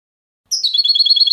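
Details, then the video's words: European goldfinch clean song for training young birds: after a brief silence, a bright high note slides into a continuous rapid warbling trill with quick pulsing repeated elements. "Canto Limpio del Jilguero | Chant chardonneret"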